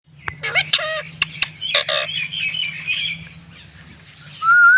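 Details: Green ring-necked parrot talking: a run of hoarse, speech-like syllables with breathy bursts, then a brief pause and a clear rising whistled note at the end, over a low steady background hum.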